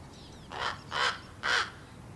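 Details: Fledgling common ravens hatched on April 1st 2022 wait for their parents to feed them; one impatient youngster gives three hoarse, grating caws about half a second apart, over soft outdoor ambience and faint songbird notes.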